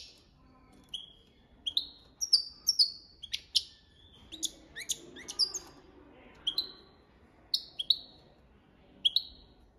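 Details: Goldfinch delivering copia malaga song, a measured sequence of high, clear notes that slide down in pitch. Most come singly, spaced about half a second to a second apart, with a brief denser burst midway; faint low room hum underneath.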